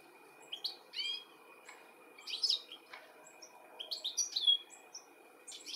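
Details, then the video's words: European goldfinch in the UK in July 2017, calling while looking for its young; high tinkling twittered notes in short bursts around every second or two, with a faint steady hum underneath. "Goldfinch calling and lookink for his baby"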